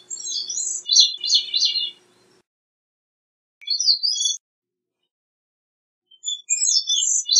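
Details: Gray-cheeked thrush singing: thin, high, buzzy-fluty phrases that spiral downward, given in bursts separated by pauses of a few seconds, over a faint low steady hum during the first phrase.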